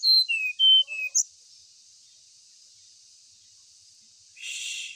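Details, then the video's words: Ashy tailorbird used to spur other birds into song: four clear high whistled notes falling in pitch and a short chip, followed by silence and a hiss of noise. "1menit srdc langsung gacor"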